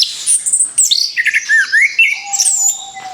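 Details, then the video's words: Song of an orange-headed thrush used as a lure for other birds: fast, varied phrases of swooping whistles and buzzy trills, falling and rising notes, with a steady low whistle toward the end. "TEMBAKAN BERUNTUN SUARA ANIS KEMBANG BUAT PANCINGAN MAUT"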